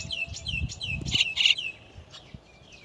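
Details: Chestnut-tailed starling, parents bringing their chicks out of the nest: a run of thin, high, falling whistled notes, then two loud harsh rasping bursts, with faint low rumbling underneath.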